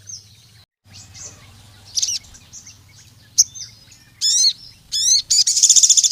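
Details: Energetic Sooty-headed bulbul calling out rivals: soft high twitters, then loud bursts of rapidly repeated, sharply sweeping notes building into a fast, dense, high trill at the end, over a low background hum.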